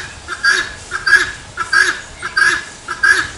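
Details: Helmeted guineafowl crying 'tô fraco': five grating, two-syllable calls spaced evenly over a few seconds, clear against a quiet background.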